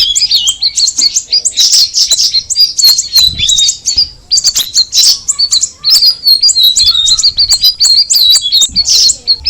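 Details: Sooty-headed bulbul giving a fast, shrill chattering song in bursts of clustered chirps and downslurred whistles, with short pauses around the fourth and sixth seconds.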